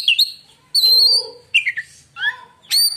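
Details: White-rumped shama song said to silence other shamas: loud whistled phrases with sliding high notes, separated by short pauses, a harsh rasping note near the end, no other sounds.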